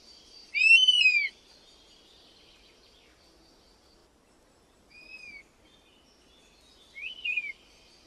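A European honey buzzard gives a loud, plaintive whistle that rises then falls, followed by two fainter, shorter whistles a few seconds apart. Faint high bird notes sound behind.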